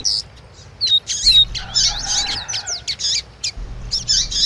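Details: Female calls rouse a double-collared seedeater into 'tui tui' song; thin whistled slurs lead into a tumbling cluster of high buzzy chirps and sliding notes, with a soft low rumble.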